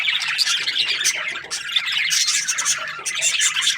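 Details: Budgerigar chirping happily, giving busy, high twittering chatter with sharp squeaky notes layered over one another, steady in loudness throughout.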